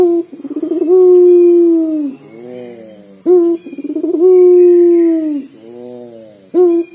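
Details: Local puter dove in Indonesia, its vocal call likened to weeping: low coos repeated roughly every three seconds, each a brief stutter rising into a long, steady, mournful note that sinks at the end.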